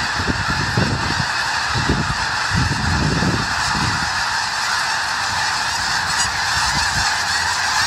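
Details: Massed snow geese on winter farmland near Conway, WA, in Skagit Valley, birds that breed on Wrangel Island, Russia. A continuous chorus of nasal honks fills the scene, with some low thumping bursts early on.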